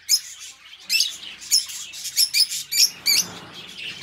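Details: Captive budgerigars give sparse, sharp, high chirps about twice a second, separated by soft scratchy chatter, with faint low rustling underneath.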